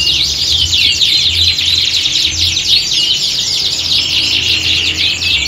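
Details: Many canaries singing at once in a competition-like atmosphere for training singing birds; a constant dense blanket of high rapid twitters and trills, with a pulsing low hum in the background.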